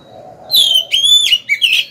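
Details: Oriental magpie-robin decoy singing to lure challengers to fight: a short phrase of loud clear whistles, a falling note, a long steady whistle, then two brief lower notes.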